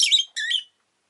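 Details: Rosy-faced lovebird giving two harsh, high, buzzy chirps in quick succession. The second chirp is slightly longer with a grating quality, followed by silence.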